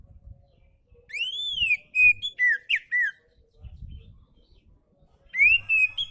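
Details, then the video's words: Oriental magpie-robin song meant to prompt lazy birds into singing: loud arched whistle, then a run of short clear whistled notes and slurs, a pause, and another rising whistle phrase. "KICAU KACER SANTAI COCOK BUAT MASTERAN KACER MALAS BUNYI"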